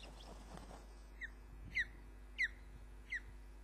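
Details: An adult female osprey brings a caught fish to the nest at Loch of the Lowes on 29 June 2010, 20:34, recorded by a live nest camera. Four short, clear, downslurred whistled chirps sound over a low background hum.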